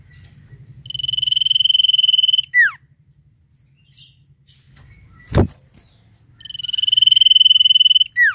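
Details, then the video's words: Vigorous ngetir-style sirtu song: two long high buzzy trills, each snapping into a quick falling slur, separated by a quiet gap with faint thin notes and a single loud knock. "SIRTU GACOR NGETIR NYIUL MANTAP !"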